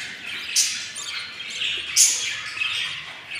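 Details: Very hungry albino lovebird hatchlings on day 15 give a soft, high hissing murmur broken by two sharp, loud harsh squeals about a second and a half apart.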